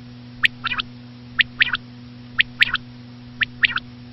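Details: Common quail (batair), labelled as a female, calling in quick three-note bursts: a clipped first note and then a closer pair, repeated four times at one-second intervals over a constant low hum.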